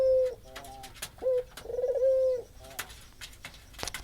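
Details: Spotted dove cooing as a lure for a bird that has gone quiet: a few low, mellow coo notes, one with a rolling lead-in, broken by sharp taps and clatter nearby.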